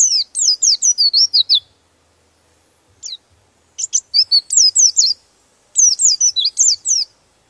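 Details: Open-beaked oriental white-eye in rolling song that stirs up rival birds: rapid runs of thin, high descending whistles strung together, delivered in three bursts separated by short silences.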